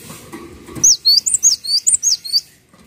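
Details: Cinereous tit singing energetically on a recording meant for tutoring other songbirds: a rapid run of about eight sharp, high, upslurred whistled notes, each clearly separated, after a quiet start with faint low background noise.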